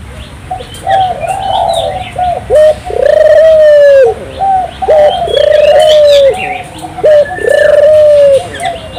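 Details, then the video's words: Turtle dove (burung puter), a lively singer meant to stimulate local doves, giving three repeated coo phrases of a clipped note and a sustained, gently falling coo, amid busy twittering from other small birds. "suara burung puter gacor, merangsang burung puter lokal ikut gacor"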